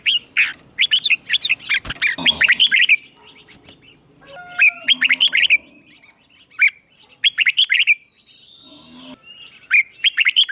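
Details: Bulbul song from a red-whiskered decoy bird calling wild rivals in to fight: clusters of quick rising and falling whistles, some harsher squawky notes, and several short breaks.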